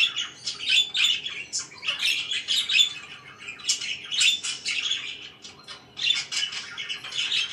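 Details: Budgerigars kept as pets chattering in the morning, fast scratchy warbling and high chirps in clustered bursts, a short lull midway before the chatter resumes.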